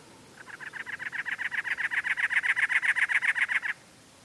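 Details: Cactus Wren, a very large chunky wren, filmed at Anza-Borrego State Park: one harsh, grating run of about twenty evenly spaced rasping notes lasting over three seconds, steady in pitch, with faint background hiss.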